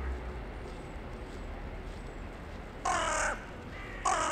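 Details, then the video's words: Town-centre crow calling in the evening on 2021-1-23 to others arriving for the night: two loud, harsh, raspy caws near the end, the second cut off, after quiet background hum. "a short time with a crow in the evening"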